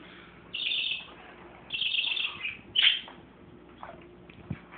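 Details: Parakeets with a baby parakeet, giving two short grating chatters followed by a sharp rising squeak, then soft faint ticks and a single click near the end.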